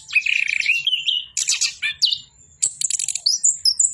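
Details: Orange-headed thrush in full song, a rush of high, varied chirps and sliding whistles, a buzzy run of quick notes at the start, then bright clipped phrases after a brief pause.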